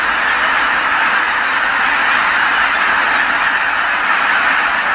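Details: Flocks of geese calling together as they come back to Kabukuri-numa marsh at dusk; an unbroken, crowded honking chorus of many birds at once.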